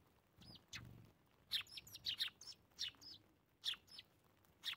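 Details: Winter morning feeding of Eurasian tree sparrows: scattered sharp chirps and short twittering notes from several birds, irregularly spaced over a faint background, with a soft low flutter early on.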